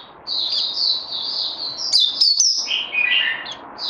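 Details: Caged songbird, described as needing more training after Covid-19, recorded 18 May 2020; high, thin twittering phrases with warbled notes run almost continuously, dipping slightly lower near the end.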